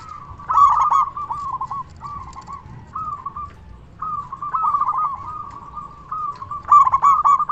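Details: Local Indonesian zebra dove singing strongly as a lure and tutor for quiet doves: repeated phrases of soft, low, rolling coos, each opening with a brighter quavering note, over a faint low hum.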